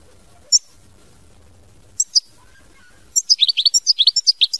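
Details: European goldfinch performing mama binette song: a few scattered high chirps, then a lively run of about fourteen quick, bright notes, many with downward sweeps, delivered at a fast steady pace.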